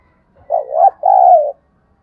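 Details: Decoy spotted dove giving a lure call to excite wild doves: one low two-part coo, a short wavering note then a longer steady rolling coo, in a quiet background.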